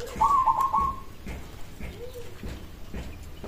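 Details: Local zebra dove song meant to draw an immediate answer from other zebra doves: one short stuttering coo phrase of rapid pulsed notes, mid-pitched and level, lasting under a second, over a faint low background rumble.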